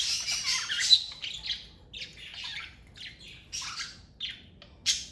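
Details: Parakeets kept as a family of pets give scratchy squawks and short chirps in separate bursts about two a second, with a loud harsh call near the start and another close to the end.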